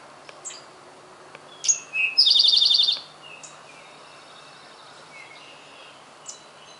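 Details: Male Eastern towhee singing its "drink your tea" song on a spring morning in Centerville, Massachusetts, in May: two sharp introductory notes followed by a fast, high, buzzy trill lasting about a second, over a steady hiss with faint other chirps.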